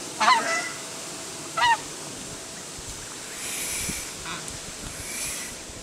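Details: Emperor goose giving two harsh, nasal honks about a second and a half apart early on, followed by quiet background hiss and faint distant calls.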